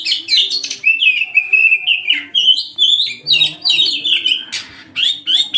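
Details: Oriental magpie-robin in vigorous 'gacor' song for luring: busy, continuous warbling with buzzy and whistled elements, over a soft low background tone.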